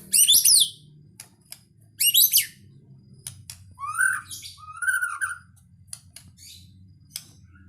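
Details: White-rumped shama, known locally as murai batu, giving a sparse full-isian song: two loud bursts of rapid high chattering notes, then two clear rising-and-falling whistles, with faint clicks and a low background hum.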